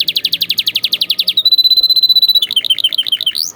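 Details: Atlantic canary song from a tutoring recording for young canaries. Fast repeated rising notes, about four per second, give way to a steady whistled tone. A quick bubbling trill of short notes follows.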